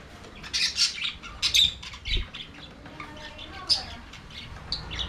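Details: Budgerigars in an aviary, singing and playing: rapid bright chirps and squeaky twitters at the start, a low thump, then softer chatter with a sliding whistled note and a final sharp tweet.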